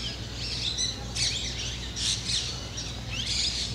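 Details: Black drongo pair on Rajasthan temple spires, hunting insects from the perches; bright buzzy chirping bursts separated by brief pauses, with a few thin whistled notes and a low mechanical hum underneath.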